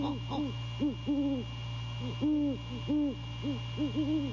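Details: Male great horned owl calling to his mate at the nest at night, 15 January 2022 at The Landings, during courting: a run of soft, low, rounded hoots in uneven bursts, some doubled, over a steady low hum.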